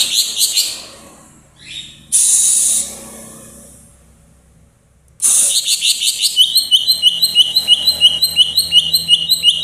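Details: A greater green leafbird from Purwo, Banyuwangi, sings high, thin chirps and a hissing burst. A long pause follows, then a rapid, steady series of shrill repeated notes.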